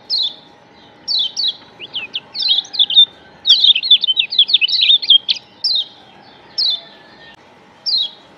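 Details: Lombok yellow white-eye (kecial kuning) used as a lure, singing high, thin, rapid chirping phrases, bursts of descending twitters around a second apart, with a faint steady hum behind.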